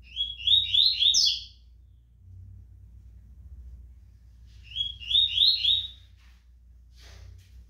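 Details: Rusty-collared seedeater kept for singing tournaments, described as quick and strong, giving two rapid bursts of sharp, chirpy rising notes, each under a second long and spaced about four seconds apart, with a faint low hum.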